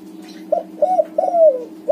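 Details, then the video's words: White-coloured spotted dove of the backspot type singing steadily, played to prompt silent doves into song: low, hollow coos in quick succession, the third drawn out and sliding downward, over a constant low electrical hum. "suara tekukur warna putih BS backspot manggung gacor"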